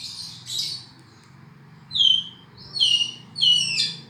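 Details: Black-and-white oriental magpie-robin giving three spaced whistled phrases about a second apart, each a sharp descending slur, preceded by softer scratchy notes over a low background hum.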